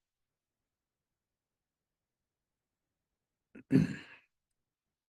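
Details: Near silence, broken only by a brief human sigh or throat-clearing sound near the end.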